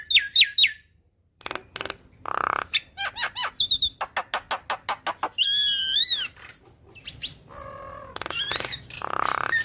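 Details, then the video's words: A yellow-eyed Javan myna, an eager singer from dawn to night, running through its phrase repertoire: fast high clicks, a series of evenly spaced short notes, a wavering whistle and harsh rasping buzzes. "Jalak Kebo Mata Kuning Rajin Bunyi Bongkar Isian Ngoceh Dari Pagi Sampai Malam"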